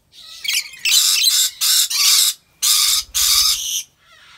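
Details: Rainbow lorikeet at a wildlife park in Aceh Besar, Indonesia, pouring out a near-continuous run of loud, rough screeches in quick succession, starting with a thinner chatter.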